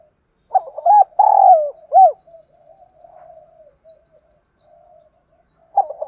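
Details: Spotted dove singing thúc gù gáy kích bổi to provoke other doves into cooing: a stuttered start, a long drawn coo and a short closing note. Faint high chirping from small birds runs in the background.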